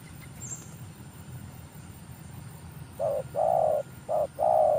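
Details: Newly trained spotted dove decoy for luring: three seconds of quiet background with a faint high chirp, then two quick phrases of a short coo followed by a longer mellow coo.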